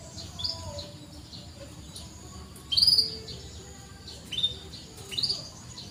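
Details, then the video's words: Canary, a lively singer, used as a prompt to train canaries that seldom sing; a few short high chirps spaced about two seconds apart over a quiet background. "PANCINGAN BURUNG KENARI SUARA CUIT CUIT COCOK UNTUK MASTERAN BUAT YANG SUSAH BUNYI"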